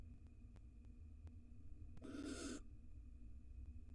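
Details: Wild male barn owl feeding the female after she laid her fourth egg, in a nest box in Israel; one harsh, hissing screech lasting about half a second over a constant electrical hum with faint ticking.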